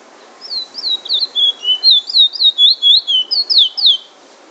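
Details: Chestnut-bellied seed finch (Trinidad bullfinch) in Trinidad singing the drawl and wheet drawl style: a quick chain of high, clear whistled slurs, some rising and some falling, about four notes a second for roughly three and a half seconds.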